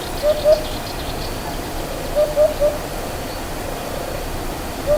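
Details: Eurasian Hoopoe calling from a tree in a Menorca natural park in May 2025, during the nesting season: soft, low, hollow 'oop-oop-oop' notes in groups of two or three, repeated every couple of seconds over a steady background hiss.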